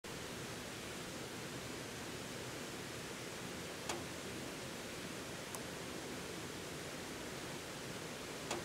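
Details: Steady broadband rushing noise throughout, broken by three sharp clicks, with no animal voice heard.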